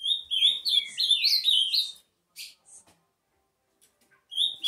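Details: Warbling song of an Ultramarine grosbeak: a fast two-second run of sliding whistled notes, then quiet with a few soft clicks before the next phrase begins.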